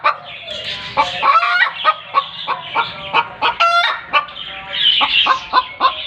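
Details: Domestic hen calling noisily after laying an egg: a rapid run of short, sharp clucks, several abrupt and uneven per second, broken by a few louder, drawn-out harsh squawks.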